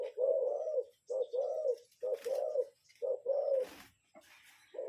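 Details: Spotted dove cooing as a decoy lure call: deep, breathy coo phrases of two notes separated by short gaps, with a couple of sharp rustling clicks between them.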